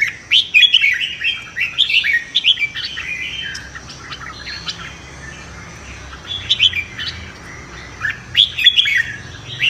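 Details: Competitive morning singing of red-whiskered bulbuls for voice training: rapid bursts of whistled, warbling notes in clusters, with quieter gaps between phrases.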